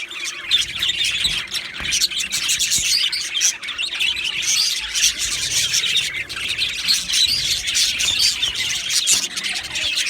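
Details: Australian budgies chattering in a colony aviary, an unbroken blend of warbling chirps, clicks and squawky notes holding steady throughout.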